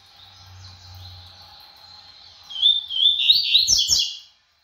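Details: A double-collared seedeater shows off its speed with a quick, high, twittering burst of song lasting about a second and a half, after a faint steady background hum.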